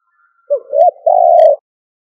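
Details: Spotted dove kept as a decoy gives one stuttering coo: a short note, a rising slurred note, then a long drawn hollow coo, with a faint thin whistle before it.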